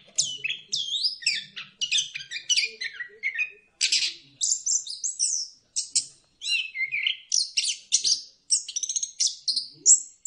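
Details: Orange-headed thrush delivering a lure song meant to get birds singing: a rapid, unbroken stream of varied high whistles, slurs, chips and buzzy trills in quick phrases lasting about ten seconds.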